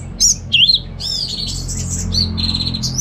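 Orange-headed Thrush singing a varied run of sweet, clear whistles and slurred phrases, some rising and falling, with a steady low hum underneath.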